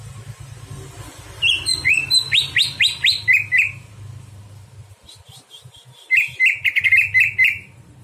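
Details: Night-time Greater green leafbird song meant for teaching other birds: two bursts of rapid, sharply repeated chirps, the first a fast stuttering series of downslurred notes, the second a tighter rattling trill after a short pause.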